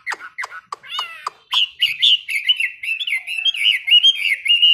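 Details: Caged Chinese hwamei at morning song practice: a few sharp clicks open, then a steady flow of bright, wavering whistled notes that grows louder and fuller.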